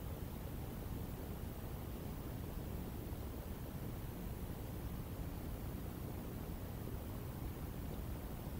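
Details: Constant broadband hiss and low rumble, like wind across a microphone, with no animal call.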